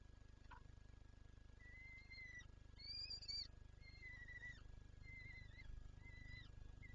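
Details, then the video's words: Calls of a peregrine falcon in Lublin on 23 April 2024 as it seeks to feed its chicks: spaced, level, thin whining notes ending in a quick drop, about one per second, faint against a low hum. "Sokół- Lublin- Wrotka chce nakarmić dzieci"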